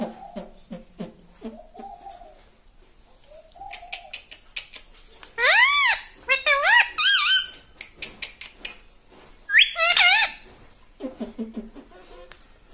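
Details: Human voice talks softly at first, then a pet parrot answers with loud, shrill, arched talking syllables imitating "papa", repeated in short bursts with pauses between.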